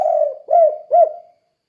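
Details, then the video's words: Spotted dove in the 'kuk 2' gacor style, used to train other doves to sing: one low cooing phrase, a long level coo followed by two short arched notes, on a quiet background. "Suara Burung Tekukur Kuk 2 Gacor Untuk Melatih Tekukur Lain Biar Ikut Gacor"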